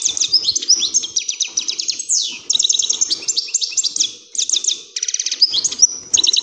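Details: Lively European greenfinch song meant to get other birds singing and ready to mate: unbroken, fast twittering trills that change tempo and pitch, with a quick downward sweep midway.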